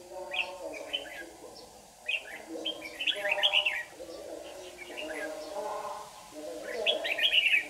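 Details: Trapping session in Đồng Nai, 26 June 2019, morning: a red-whiskered bulbul lure sings in a contest, giving repeated lively warbling phrases every couple of seconds while people talk quietly beneath.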